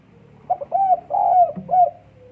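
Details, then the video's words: Single phrase of a spotted dove in breeding condition, 12 December 2022: soft hollow coos with a longer held middle note and a descending end note, over a quiet low background drone. "EMUSI KUAT BURUNG PUTER DEKUKUR LAGI BIRAHI"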